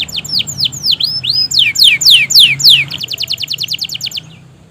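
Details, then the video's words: Gacor canary song used to stimulate quiet canaries into singing: paired V-shaped whistles, loud sweeping downslurs, then a fast, even trill of short notes that fades out. "pancingan suara burung kenari gacor panjang!"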